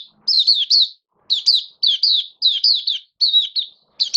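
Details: Hobby-kept oriental white-eye in build-up singing form, 19 September 2022, delivering rapid high, thin chirps in quick clusters of two or three, each slurring downward, with brief gaps between clusters.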